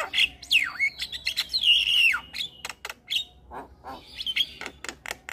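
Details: Javan myna song played to make other mynas sing: swooping slurred whistles rising and falling, interspersed with sharp clicks and rasping notes, then a thinner whistle among scattered chatter.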